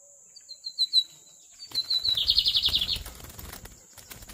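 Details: Lined seedeater, a magnata bird, gives loud spaced whistled notes, then a run of faster whistles into a buzzy rattling trill, accompanied by wing flutter and rustling noise.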